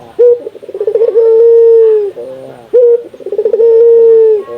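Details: Local puter dove from Indonesia calling to stimulate other doves to call: a sharp opening note, a quick stuttering roll, then a long, steady, slightly falling coo, given twice about two and a half seconds apart.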